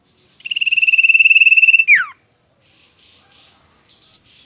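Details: One long, rapidly pulsed whistle from a pet Common Iora in Indonesia, ending in a steep downward note. Faint high hissing noise is heard before and after it.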